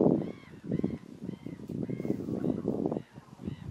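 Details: Courting common mergansers on Fyrisån, 2 April 2022, on a late-winter-like spring day. Males chase each other after a few females. Repeated short curved calls about every half second over constant splashing.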